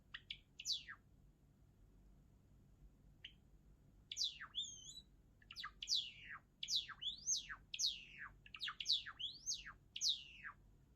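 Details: Java sparrow song: a few opening ticks and a lone note, then a brief double whistle, followed by a fast, rhythmic series of bright descending slurs, roughly one every half second.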